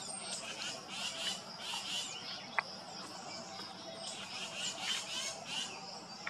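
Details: A Tufted Titmouse nestling waiting for its parents to return gives high, hissy, raspy begging bursts about every second, with two sharp clicks over a steady background hiss; recorded June 13, 2021.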